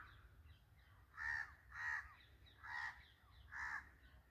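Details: Jungle birds at feeding time: four loud, coarse calls with strong overtones spaced about three-quarters of a second apart, softer chatter faintly between them.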